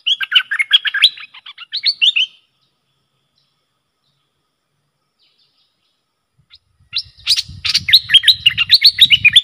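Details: Worked-up bulbul used as a lure against wild rivals gives a quick burst of chattering notes, falls silent for several seconds, then resumes with rapid bubbling phrases over a low rumble.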